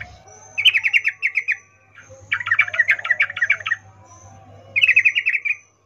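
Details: Sooty-headed bulbul female calling a male, arousal call: three bursts of quick stuttering chips, the middle one denser and doubled, each about a second long with short gaps, over a faint hum.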